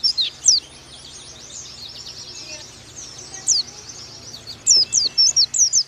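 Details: Oriental white-eye song in 'nembak' style, a master recording for young birds: a few sharp high chirps, a soft twittering stretch, then a closing run of loud, thin, slurred notes.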